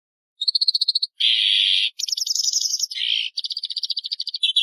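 A Daurian redstart sings a quick, varied phrase: a run of bright ticking notes, then scratchy buzzy bursts and high trills, all in a high pitch.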